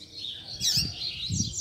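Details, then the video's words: Tutor song of a coleiro, the double-collared seedeater, played to teach young birds and stir up their fighting spirit: bright high twittering phrases with a sharp burst near the middle and low thumps underneath. "PUXADA TOP PARA FOGUEAR E ESQUENTAR A FIBRA - COLEIRO PROFESSOR APRENDIZADO"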